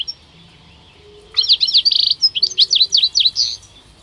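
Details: Male European goldfinches, two birds at the Rumbeke bird fair, 16 October 2021, burst into a rapid twittering phrase after a quiet start: a buzzy trill then a string of sharp chirped notes, about fifteen in two seconds.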